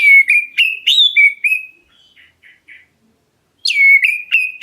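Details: Oriental magpie-robin, black-breasted form, calling to provoke answers: loud, sweet whistles in quick succession, some level and some rising, then soft scratchy notes and a pause before another bright downslurred phrase.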